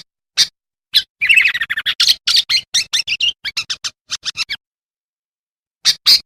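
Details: Sooty-headed bulbul song played as a lure for wild bulbuls: a fast, busy run of sharp chirps and twittering notes packed together, trailing off into a pause and then two final chirps, with no other sounds.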